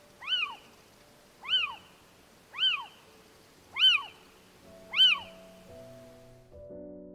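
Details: Little Owl, found widely in Europe and often in urban areas: five short arched mewing notes repeated about once a second, each rising and falling. Soft musical tones enter underneath toward the end.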